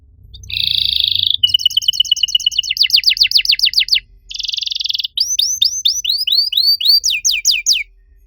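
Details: Canary master song meant to prompt silent canaries into singing: a brief buzzy roll, a fast series of sweeping downslurred notes, another buzzing trill, then rising and falling whistled slurs repeated rapidly.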